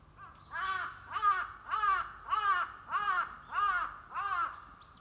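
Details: White-browed laughingthrush (Pterorhinus sannio) call, April 2022: seven harsh, nasal, arched notes at a steady pace of about one every 0.6 seconds, with little else audible.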